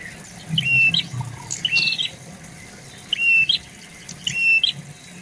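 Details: Clear whistled prinia notes, each a steady high tone ending in a quick upturned flick, come in spaced pairs over faint low rumbling; the bird lives in bushes and garden shrubs.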